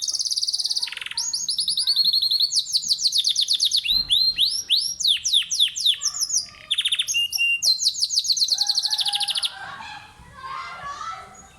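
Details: Domestic canary, a pet bird kept at home in Islamabad, Pakistan, singing in the early morning: fast whistled trills and rising sweeps, rapid repeated notes in bright rolling phrases, ending in softer scattered chirps.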